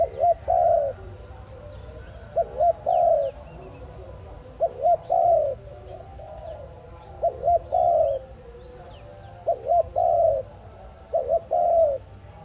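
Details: Dove calling as a trapping lure, repeating its phrase about every two seconds: a pair of short arched coos and a longer quavering coo, six phrases in a row, with faint chirps from other birds.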